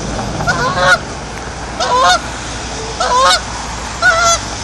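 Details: Geese making very loud, brassy honking: four two-part nasal honks about one second apart, each a short harsh blast, against a continuous background rush.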